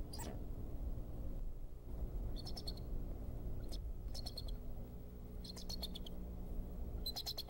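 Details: At the Decorah eagle nest on 26 February 2014, the male bald eagle alerts, perhaps chasing off an intruder, days after the first egg. Rapid clusters of thin, piercing piping notes come in four quick bursts over a steady deep hum.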